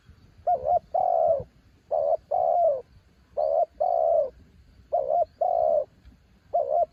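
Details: Spotted dove decoy for luring wild doves repeats its low cooing phrase four times and starts a fifth, each a short quavering note then a longer round coo.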